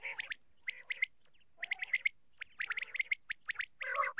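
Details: Quail hen calling for hunters: quick clusters of harsh, squeaky chirps in uneven groups of two to five, separated by brief pauses, on a quiet background.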